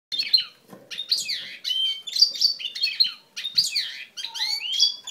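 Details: Male goldfinch x canary hybrid singing a lively song of short bursts: bright whistled notes, rapid trills and upslurred chirps, separated by brief pauses, with some sliding descending whistles near the end.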